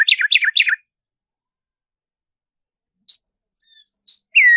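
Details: Black-striped sparrow (Arremonops conirostris) song, meant to stimulate captive birds to sing, giving three quick, falling slurred notes, then a pause and a few thin whistles.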